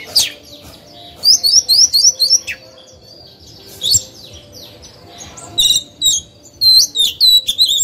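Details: Captive oriental magpie-robin singing as a decoy to draw out singing from other birds; bursts of fast repeated high chirps about four per second, separated by quiet gaps, then sharp rising notes.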